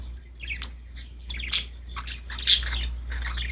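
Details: Soft chattering from happy budgerigars playing with a new toy: quick scratchy notes and short squeaks run together, with a couple of sharper high chirps standing out over a low rumbling background.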